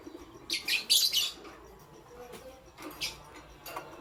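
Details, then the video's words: Pet lovebirds, pastel gray and green, in the morning: a burst of rough, scratchy chirps lasting almost a second, then two shorter chirps, over low steady background noise. "Pastel Gray LoveBird Chirping Sound"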